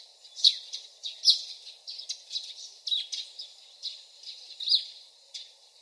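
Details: Common nightingale song heard faintly at a distance: a run of short, high chirps and scratchy notes, about one every half second, some brighter accented, with soft background noise.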